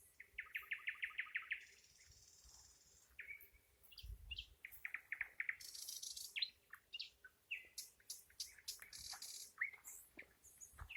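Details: Nightingale singing a varied song: a rapid run of loud repeated notes opens, then a buzzy high trill, clear whistled notes, dry rattles and sharp chirps in quick succession, with brief pauses between phrases.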